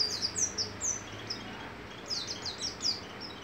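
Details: Javan white-eye from East Java singing: a run of quick, very high, thin chirps and short sliding notes in two bursts separated by a pause, over a steady background hiss.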